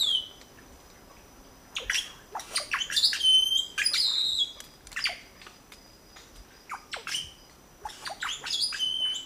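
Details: Red-bellied grackle nest with three chicks being fed, filmed in 2012 at La Romera reserve, Sabaneta, Antioquia, Colombia; bursts of sharp, high squeaky chirps and harsh squawks in clustered runs, with a steady thin high tone behind.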